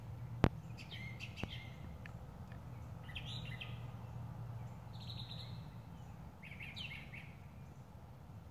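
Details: Brown thrasher song in Missouri: short, varied phrases of chirps and warbles, each separated by brief pauses, over a steady low hum and one sharp click.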